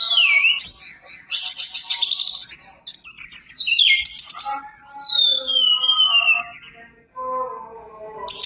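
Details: Energetic Mountain tailorbird song meant to prompt silent birds to sing: bright whistled slides rising and falling, a long smooth descending whistle, short buzzy bursts and lower layered notes near the end.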